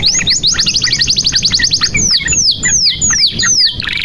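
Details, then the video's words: Canary song used as a lure to prompt silent or young canaries to sing: a fast, even trill of sharp downward-sweeping high notes for two seconds, then slower separate descending whistles about every half second. "SUARA KENARI GACOR"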